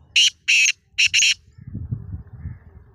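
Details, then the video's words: Black francolin in Sindh, Pakistan, giving four loud, harsh, grating notes in quick succession: two single blasts, then a close pair, followed by low murmuring voices and background noise. "Kala Teeter"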